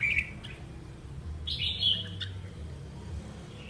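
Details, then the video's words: Red-whiskered bulbul, a wild-caught adult kept as a keen singer, utters a short chirp, then a brighter burst of lively whistled notes before going quiet, with steady low-pitched background noise. "Kích chim chào mào bổi"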